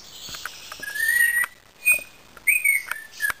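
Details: A pet Indian ringneck parakeet gives thin, drawn-out whistles, one level and one rising, mixed with light tapping clicks.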